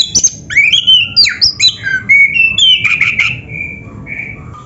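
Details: Kacer, the Oriental magpie-robin, singing a training recording for caged birds: rapid varied whistles and sharp chattering notes, trailing into longer level whistles and a soft low note.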